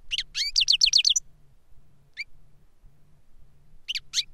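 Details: Adult master European goldfinch, kept in captivity, singing 'reclamo' song of the kind it taught to a novice goldfinch; a quick burst of high, twittering, slurred notes for about a second, a lone chirp, then another short twitter at the end over faint low hum.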